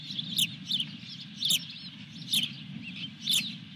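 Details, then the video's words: An osprey at its Dunrovin Ranch nest holding a fish, 23 June 2021. Loud piercing whistled yelps come singly about once a second, with a faint low hum beneath. "Dunrovin Ranch Osprey Video_2021-06-23_221314-Fish #4"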